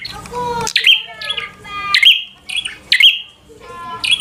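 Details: Bar-winged prinia giving fighter song to rouse a rival: an opening harsh, tonal squawk followed by sharp clicking notes that drop into short whistled tails, repeated roughly once a second.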